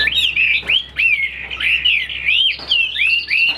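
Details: A caged Chinese hwamei, bred for fighting and wing display, sings loud, clear slurred whistles. Each rises then falls, repeated in quick succession, with sharp clicks between phrases.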